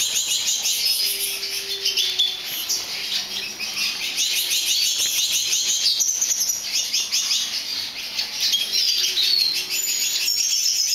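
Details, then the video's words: Lesser goldfinch, subspecies jouyi, bred in captivity, recorded in 2011, singing a long, continuous high twittering song of rapid chirps, trills and thin whistled slurs with no pauses. "Carduelis psaltria jouyi"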